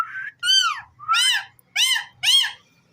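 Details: Pet ringneck parrot speaking four loud, rich, arched syllables about half a second apart, each rising then dropping, against a quiet background.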